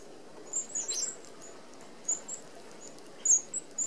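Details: Australian Red-browed finches feed as a flock at an open feeder with 25 mm mesh; short, very high, needle-thin peeps arrive in small clusters separated by quiet pauses over low hiss.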